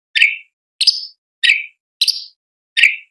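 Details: Sooty-headed bulbul in a tutor recording for training contest birds, a sharp, piercing 'tembakan' style: five clean, bright chirps, each sweeping downward and spaced about two-thirds of a second apart, with silence between them.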